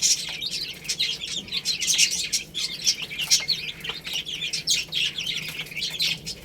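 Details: Young chicks feeding on rice give steady, overlapping high-pitched chirps throughout, with short sharp ticks scattered among the calls.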